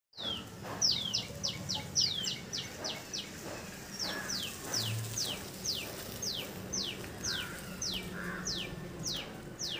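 Oriental magpie-robin giving high, sharply falling whistled notes, first in quick runs, then spaced about a second apart, over a low background hum.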